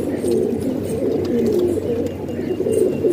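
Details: Domestic pigeons housed indoors in Pakistan give dense, low burbling coos, several birds overlapping in wavering rolling phrases that rise and fall without pause over a faint background hum.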